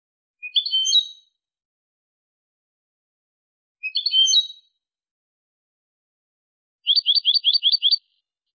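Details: Goldfinch Malaga song type for teaching chicks and hybrids: two brief twittering phrases of mixed buzzy notes, then a fast run of seven identical repeated chips near the end, clean recording with silent gaps.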